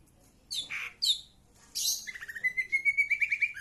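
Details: Greater green leafbird singing: two sharp, high, slurred notes, a rough burst, then a long rapid trill of repeated whistled notes that rises gently at the end.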